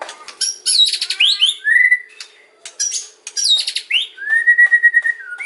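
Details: White-rumped shama kretekan and ocean song used to draw replies from other shamas: rapid high chattering and ticks, upslurred whistles, and a long even whistle near the end.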